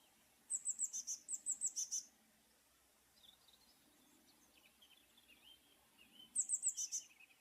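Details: Eurasian blue tit singing: bursts of high, thin repeated notes, a short trill of five to eight quick notes, then a pause of several seconds with faint lower calls from other birds before another quick run of notes.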